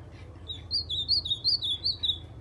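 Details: Kept white-throated seedeater, a standout bird belonging to the owner's friend, singing the song of the ultramarine grosbeak: clear, high slurred whistles in a steady chain of rising-and-falling phrases, over a low continuous hum.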